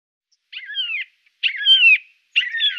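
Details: A Siberian jay in Norway gives three harsh, mewing calls with a drooping whistled tone, each about half a second long and less than a second apart.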